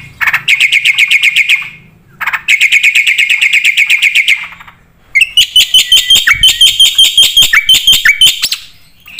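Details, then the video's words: Black-winged starling singing loudly with full filler content, played to provoke other birds: two bursts of fast, uniform ringing chips separated by pauses, then a complex chattering, whistled passage. "suara burung jalak putih gacor full isian"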